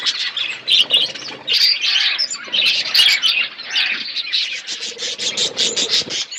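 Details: Budgerigars chirping in a colony setup: loud bursts of high squeaky chatter and twittering from many birds, pulsing in waves with short rapid chirp series toward the end.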